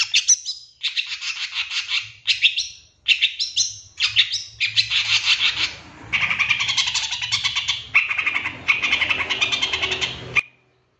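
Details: Long-tailed shrike song used as a master recording to provoke other birds: dense, scratchy, high chattering phrases in bursts of one to two seconds separated by short pauses, with a faint low hum beneath.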